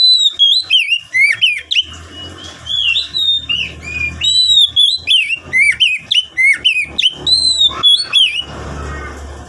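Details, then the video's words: Energetic oriental magpie-robin song played to prompt freshly forest-caught birds to sing: rapid run of whistled, slurred notes, about three per second, mixing sweeping upslurs and held tones, with a faint low hum beneath. "Kacer Gacor Buat Pancingan Kacer Bahan Agar Cepat Bunyi"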